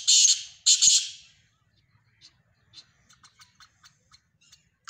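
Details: Black francolin (kala teetar) giving the end of a rasping, grating call phrase, followed by a scatter of faint, short chirps and clicks in the background.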